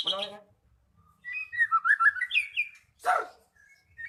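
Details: Magpie-robin song meant to get a silent bird singing: a rough chatter, then a flowing series of warbled whistles, a loud harsh rasp, and a final short whistle.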